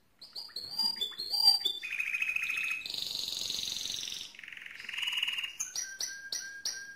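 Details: Powerful mosaic canary song made of varied tours: quick chirps, a buzzy lower roll, a dense rattling trill, another rolling section, then crisp repeated upslurred chips.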